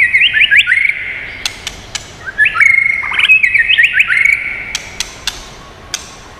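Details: White-rumped shama giving its many-voiced song to rouse and train birds: a fast run of bright, upslurred whistles, a second trilling phrase, then quieter isolated clicks trailing off.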